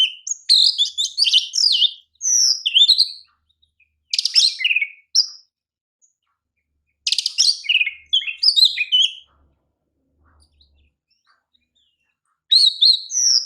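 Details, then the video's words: Oriental magpie-robin, a champion kacer, singing a master song: loud bursts of varied whistles, harsh rattling notes and quick chirps in phrases of one to two seconds, separated by short silences, clean background. "KICAU KACER JUARA PALING PAS UNTUK MASTERAN KACER"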